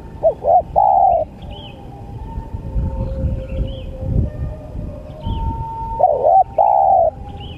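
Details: Spotted dove cooing in two bursts separated by quiet: stuttered notes and a long falling coo at the start, a similar sequence near the end, with a steady hum and faint high chirps of other birds.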